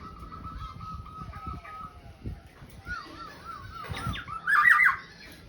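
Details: Black-naped oriole (kepodang) in full song: an even wavering whistle, then looping slurred notes rising into a loud, rich fluted flourish near the end, over faint background noise.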